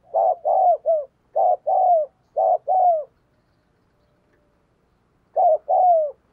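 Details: Decoy spotted dove cooing hard to provoke wild doves: three quick doubled and tripled coos in a row, a two-second pause, then one more paired coo with a falling second note.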